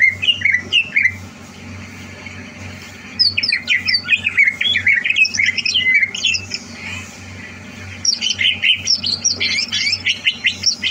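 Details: Greater green leafbird in a cage, prepared for a singing competition, 30 November 2022; bursts of scratchy, squawking chatter and quick whistles separated by quieter gaps of about two seconds, a low pulsed hum continuing throughout.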